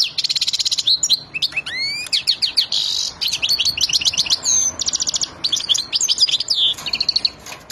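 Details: Excited European goldfinch of the Wadani type, ready to mate, delivers a long, energetic song. Buzzy trills, upward-sweeping whistles and rapid liquid twitters follow in quick succession with only brief breaks.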